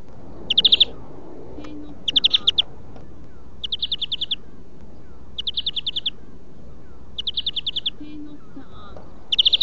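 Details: Greenfinch huylandırma song-training audio, kekeme style: six tight pulsed trills of rapid chirps, evenly spaced about every one and a half seconds, with brief soft low notes in the background.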